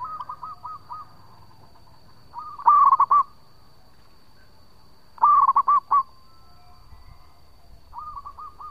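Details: Lure recording of a local zebra dove in active, long song: two loud bursts of five cooing notes about two and a half seconds apart, with fainter, similar phrases before, between and after them.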